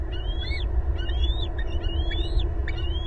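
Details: Loud calls from a bald eagle family of two adults and two eaglets at their nest in Southwest Florida, April 2022: a run of high, squealing whistled notes, each arched and slurred, roughly four in three seconds, with low background rumble.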